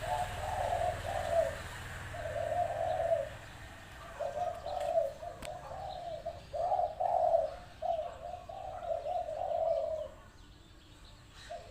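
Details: Spotted dove used as a decoy at a trapping enclosure, lively and in good voice: low, mellow cooing phrases in steady runs, each a few rolling notes, repeating across about ten seconds with short pauses between, and faint background hiss.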